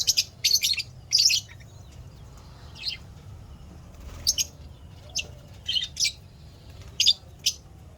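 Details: Happy lovebirds kept as pets start with a quick run of loud high chirps, then continue with spaced single and double sharp chirps at intervals of about a second.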